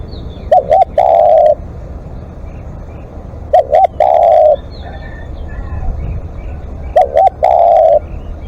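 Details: Spotted dove calling as a live decoy: a paired hooked note and then a long, even coo, repeated every three and a half seconds. Other birds chirp faintly in the background.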